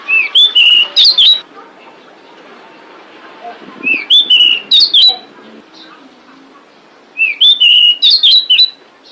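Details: Pied bushchat female calling to lure males, giving three bursts of rapid, bright whistled chirps roughly every three to four seconds, with quiet gaps and a soft background hum between them.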